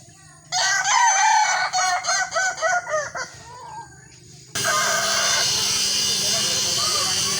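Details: Kukuak balenggek rooster crowing at a sparring contest: a loud crow of six or seven evenly pulsed, looping syllables, then steady broadband noise drowns the final seconds.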